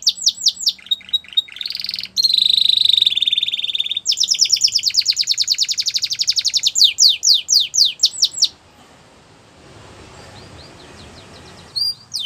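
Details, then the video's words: Canary training song, Russian and Belgian canary types: swooping whistles, a buzzy trill, then a long fast pulsed roll and downslurred notes, followed by several seconds of faint hiss before a last brief phrase. "Canary Training Song | Russian Canary | Belgian Canary"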